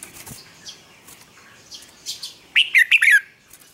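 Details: Red-whiskered bulbul morning song used to train birds: light rustling and faint chirps, then a fast, loud string of four warbled whistled notes that dips and rises.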